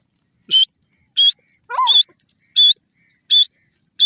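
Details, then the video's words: Repeated loud, harsh, high-pitched call notes from a Grey francolin, evenly spaced about every 0.75 seconds, six in all. A lower, wavering, descending call sounds once between them. "teetar bird voice,teeter awaz,teeter sound"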